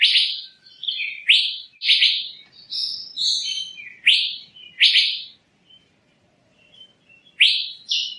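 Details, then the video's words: Asian fairy-bluebird calling repeatedly with loud, bright downslurred whistles and shorter high notes, a pause of silence, then two more strong whistles. "Tiếng chim Thanh Lam(Chim Lam) | The sound of the bird Irena puella"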